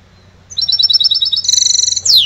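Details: Trained goldfinch hybrid from 2011 singing a clear, rapid trill of evenly repeated high notes, then a brighter, buzzier sustained trill, ending in a sharp sweeping note, with faint low hum behind.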